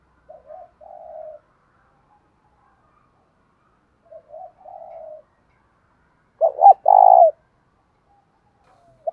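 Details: Decoy spotted dove calling to provoke wild males: two soft, quiet hummed phrases a few seconds apart, then a louder burst of a short note and a thick buzzy coo near the end.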